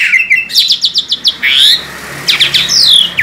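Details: Asian pied starling, a tame bird, singing vigorously: rapid sharp chirps and buzzy rising strokes, a brief harsh burst, then more high chattering notes, with faint low background hum.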